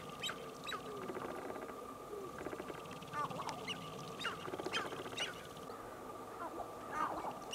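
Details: Sharp-tailed grouse giving a rapid run of sharp clucks and cackles, with bright chirps and soft cooing from more than one bird, closely packed over the whole stretch, with a steady faint hum behind.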